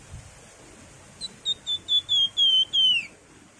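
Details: Crescent-chested babbler (wergan jawa) singing energetically in the nyiul, nyuling and ngebren styles: seven clear whistled notes, starting short and growing longer. They come faster toward the end, and the last note slurs downward over a quiet, steady background.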